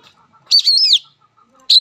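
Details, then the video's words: Oriental magpie-robin (kacer) fighting song: one brief loud phrase of blended whistled and buzzy notes, then a short sharp note after a pause, with faint background sounds. "Suara Kacer Petarung!!"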